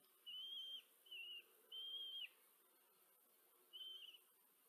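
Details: At a common kestrel nest in Tiszanagyfalu, Hungary, on 14 July 2023, the female feeds four chicks under a nest camera. Three clear, level, slightly wavering whistled calls come in quick succession, then one more after a short gap.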